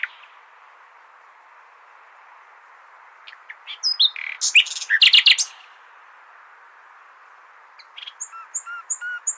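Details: Common nightingale song, played to teach goldfinches: after a long quiet stretch, one burst of sharp, rapid notes rises into a dense chattering phrase. Then a pause, and a thin high whistled series starts near the end.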